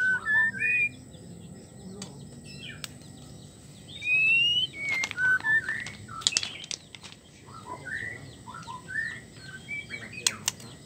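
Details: Female white-rumped shama in heat calling to the male, sounding out scattered whistles and short chirps, with several sharp clicks and taps between the notes.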